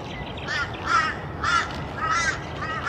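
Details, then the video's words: Wandering whistling ducks at Sandy Camp Road Wetlands, Brisbane, Queensland, 6 September 2022, give repeated high, wavering whistles, about one every half second, over a steady background hiss. "Wandering Whistling Ducks"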